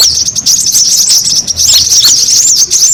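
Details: Noisy brown-throated sunbird chorus used as a lure to attract birds. Very high, thin chirping and small swooping notes pour out nonstop, several birds overlapping in a bright, hectic chatter.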